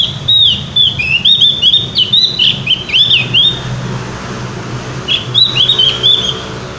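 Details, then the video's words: Javan grey-throated white-eye in loud, profuse song: a long series of high, looping whistles rising and falling rapidly, then a short gap and another cluster of slurred notes, with a low hum beneath. "opior jawa gacor ngeplong"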